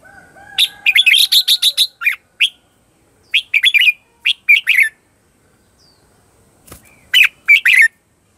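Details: Red-whiskered bulbul lure bird in a contest-style "ché chéc" song meant to call in wild birds; bursts of sharp, chirpy, rising-falling notes come in quick clusters, with short pauses and a faint whistle at the start.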